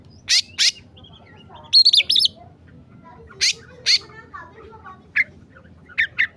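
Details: Agitated oriental magpie-robin for song tutoring: paired loud scratchy rasps repeated several times, a short burst of high whistled notes, and faint soft twitters between over low hum.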